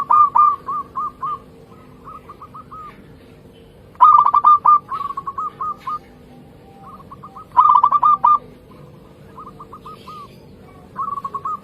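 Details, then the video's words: Vigorously singing local zebra dove, recorded in a trapping context: rapid runs of clipped, mid-pitched cooing notes in phrases of four to eight, with louder bursts near the four- and eight-second marks and softer phrases between them, steady low hum beneath. "Perkutut Lokal Gacor"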